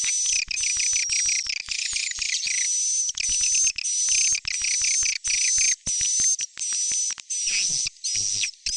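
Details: Swiftlet calls used to call the young, stereo: rapid high-pitched chirping bursts layered over a continuous thin whistle, repeated about every half second with brief pauses between bursts.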